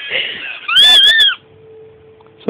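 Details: Pet lineolated parakeet indoors, reacting with displeasure to the song Macho Man; after brief chatter comes a loud, harsh, ringing screech of about half a second that rises and falls, then a low steady hum and a click.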